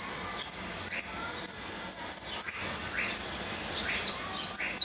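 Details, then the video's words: Goldfinch giving the repique song. Short, piercing, downward-slurred notes repeat in a steady pulse with brief gaps between bursts, against a quiet background. "Blanco de repique"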